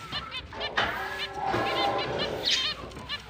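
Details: Pet finches at the start of breeding season in late October chirp busily with nasal, honking little notes, several birds overlapping in quick bursts with a few higher, brighter peeps mixed in.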